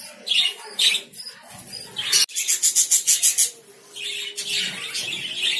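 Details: Lovebirds chattering: sharp shrill chirps, then a fast string of about eight clipped high notes, followed by a steady higher-pitched squeaky twittering.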